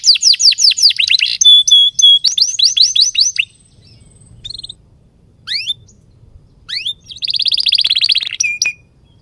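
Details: Canary song meant to tutor young canaries: quick trills, steady whistled notes, scattered rising chirps with gaps, then a buzzy trill and a final low whistle.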